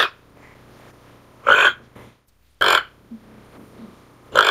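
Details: Harsh grating croaks from a toco toucan, three loud rasping bursts spaced irregularly, with soft faint clicks between them and a low steady hum behind.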